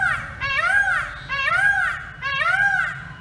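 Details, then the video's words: Indian peafowl perched on a pole, calling three times in quick succession: loud, plaintive, arching wails that rise and drop, spaced under a second apart, over low rumbling background noise. "Peacock Sound Compilation on the Pole"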